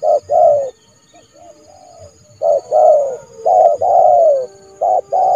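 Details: Trained decoy spotted dove calling in January to lure a rival into the yard for trapping. It gives loud, low coos in bursts: short notes, then longer descending coos, with quiet pauses between phrases.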